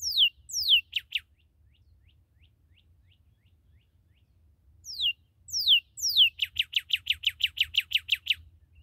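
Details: Newly captured red cardinal singing long downward-sweeping whistles that speed into rapid chip trills, then after a pause repeating the sweeping whistles and a run of about a dozen quick even notes, over a low hum.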